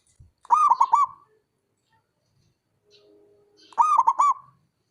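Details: Male zebra dove, a local bird, singing: two rapid bursts of clipped, throaty cooing notes run together into a rolling phrase, separated by about two seconds of quiet, with no other sounds.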